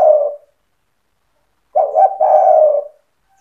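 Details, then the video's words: Spotted dove in full song, cetretan style, meant to rouse other doves into calling; one phrase cut at the start, then a full phrase: two short clipped coos running into a long, mellow, slightly falling coo, with silence between. "Suara burung tekukur gacor cetretan bikin deruk tekukur derkuku balam lain emosi ikut bunyi"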